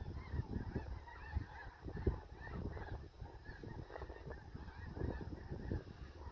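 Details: A large flock of snow geese at a National Wildlife Refuge calls nonstop in the morning, a dense overlapping chorus of nasal, barking honks, with a low rumble of wind underneath.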